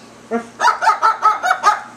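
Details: A female cockatoo taught to bark imitates a little dog: one short bark, then six quick, harsh, mid-pitched barks about five per second. No other sounds.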